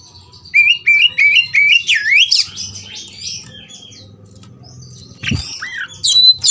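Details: Oriental magpie-robin roused to fight, opening with a series of repeated rising whistled notes, then buzzy slurs, a quiet pause, and loud sharp whistles again at the end.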